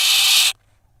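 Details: Barn owl nestlings on a nest camera in Israel, 3 June 2021, youngest preening its sibling; one loud broad rasping hiss cutting off after half a second.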